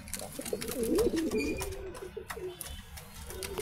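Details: A newly paired pigeon gives low, throaty, rolling coos in a quick wavering run, with light taps in the background.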